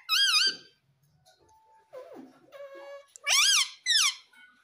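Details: Young green ringneck parrot kept as a pet, calling indoors: loud, shrill, wavering squawks open the recording, soft squeaks and a short steady whistle follow, then two more piercing arched screeches close it.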